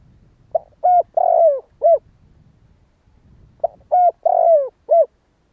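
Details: Vietnamese spotted dove in the 'kích bổi' calling style: two soft cooing phrases, each a quick lead note, a rising coo, a long drawn coo falling at the end, then a clipped closing note, separated by about three seconds of quiet.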